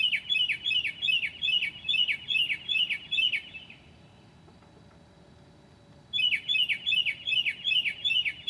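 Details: Mockingbird singing at 2 a.m., 9 July 2008, borrowing other birds' calls: a bright, repeated swooping chirp about three times a second, a silent gap of nearly three seconds, then the same chirp series resumes.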